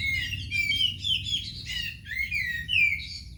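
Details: White-rumped shama kept at home, singing varied whistled phrases with slurred rising and falling notes, interspersed with scratchy chatters, over a low steady background hum.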